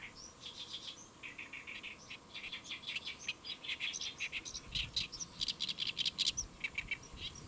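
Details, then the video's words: Great reed warbler singing while perched on a lotus leaf at Saemangeum, Gimje, Jeollabuk-do, South Korea, around midday on 1 July 2024; harsh, chattering phrases of repeated scratchy notes, rising into a dense rapid run, over a steady low hum. "연잎에 앉아 우는 개개비 Great Reed Warbler Chirping on a Lotus Leaf"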